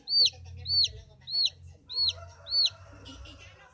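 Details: Newly hatched chickens, incubated by hand under a lamp after the hen abandoned them, give high, clear arched peeps, five in a row about every half second, with a low hum and faint voices underneath.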